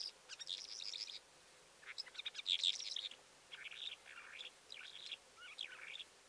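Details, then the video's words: Calandra lark delivering a rich, jumbled song of rasping buzzes, sharp twitters and slurred whistles in bursts separated by brief pauses, with little other sound. "Calandra lark (Melanocorypha calandra) Γαλιάντρα"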